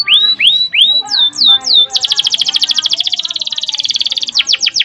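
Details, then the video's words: Canary singing a long rolled trill: several rising whistled notes, then a dense, rapid rattling trill sustained for over two seconds before ending in a few sweeping notes. "Masteran suara burung kenari GACOR ngerol PANJANG seept rapat || kenari lain ikut EMOSI"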